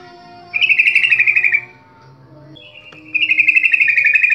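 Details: Sooty-headed bulbul song played as a lure for birds to sing. Two rapid, chattering buzzy phrases about two and a half seconds apart, separated by a brief thin note, over a faint hum.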